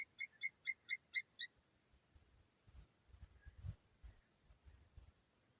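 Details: Wild Steller's sea eagle recorded at Lake Saroma, Hokkaido, Japan: a quick series of six clear, yelping notes, about four per second, over the first second and a half, then faint low wind rumble.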